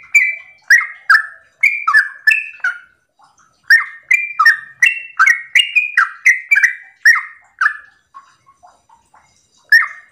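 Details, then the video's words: Sooty-headed bulbul singing in the morning, meant to make other bulbuls respond: bursts of quick, clicky, slurred whistles with a short pause after two seconds, a long run, then softer scattered notes and one last whistle. "Pancingan trucukan gacor ropel pagi hari trucukmu pasti langsung nyaut"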